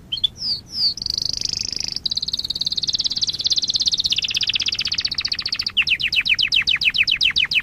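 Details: Canary masteran song for tutoring young canaries: a few high whistled notes, then a long fast buzzy trill, ending in a string of quick downward-sweeping chirps.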